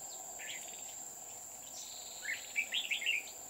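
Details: Red-whiskered bulbul used as a decoy while trapping at Núi An Phú, Chùa Hương, on 20 October 2019, giving a quick run of rich, bubbling whistled notes late in the clip, backed by a constant shrill insect hum.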